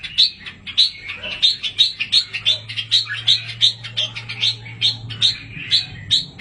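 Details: Red-whiskered bulbul chicks, aviary birds, utter a steady series of high, sharp chirps, roughly three per second, each a short upward-flicked note, with a low steady hum underneath.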